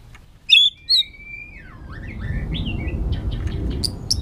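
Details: White-rumped shama singing a long-string, many-voiced song while flicking its tail on a perch. Two loud high whistled notes are followed by a long falling slur, then softer rising phrases over a low rumble.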